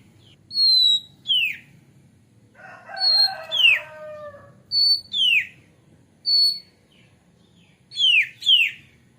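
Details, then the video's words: White-rumped shama, sound used to lure birds into song: spaced high whistles each ending in a falling slur, with a harsh, rasping, multi-toned phrase in the middle, over a faint low background. "SUARA PANCINGAN KACER AGAR CEPAT GACOR DAN BUKA EKOR"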